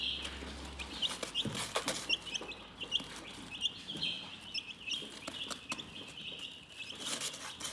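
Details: Chickens chirp softly in a steady, overlapping stream of shrill peeps, punctuated by frequent crisp clicks and taps. A low hum is heard at the start.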